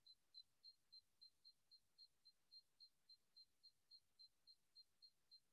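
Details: A Desert Cisticola's call with its clicking sounds (vocal, not wing clicks): a steady series of short, high clicks, about three to four per second, over quiet background hiss.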